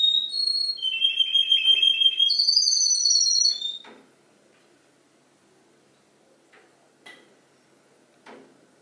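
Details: Singing canary copying other birds' songs: rich, high whistles shift pitch across nearly four seconds, some rapidly pulsed, then the song stops, leaving near silence with a few faint clicks.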